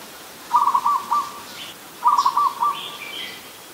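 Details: Adult zebra dove in Ubon Ratchathani, Thailand, recorded on 24 December 2020, giving two quick stuttering coo phrases of rapid bubbly notes about a second apart, each ending in a short separate note; faint high chirps of other birds behind.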